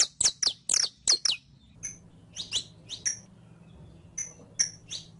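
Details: Saffron finch (canario criollo) song from a training recording for teaching captive birds: a fast run of bright, downward-slurred chips, then spaced, thinner high tweets over a faint low hum.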